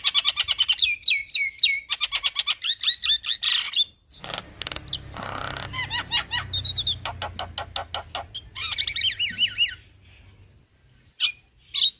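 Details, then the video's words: Male black-winged starling pouring out a long rolling song: dense trains of rapid chirps, wavering whistles and trills, broken by a stretch of noise and a low hum. "Jalak Kebo Jantan gacor Ngeroll Panjang"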